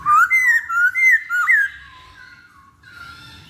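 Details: Masked laughingthrush song meant to lure birds into singing: a quick series of four loud, ringing whistled notes, each sliding upward, then a fading, quieter whistle with a sharp click at the end.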